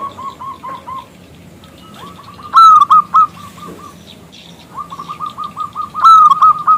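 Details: Local zebra dove with a big, clear voice, calling a male to answer; soft coo runs, then two loud, clipped opening notes, each followed by quick, level coos, with fainter doves behind.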